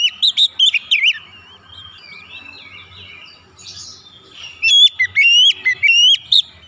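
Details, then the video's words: White-rumped shama song for encouraging other birds to sing: clipped whistled notes at first, a quieter warbled stretch, then a strong series of sharp rising whistles near the end. "Kacer macet Kacer setres pasti gacor"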